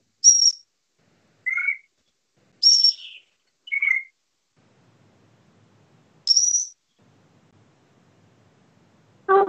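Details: Great grey shrike song, a delicate run of high, thin whistles alternating with lower, slightly burry notes, spaced a second or two apart with pauses, and a brief low sound at the end.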